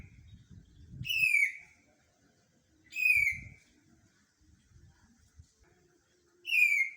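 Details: Greater green leafbird giving three loud, bright whistles spaced about two seconds apart, each a sharp downslurred note, with soft low thumps and rustling beneath.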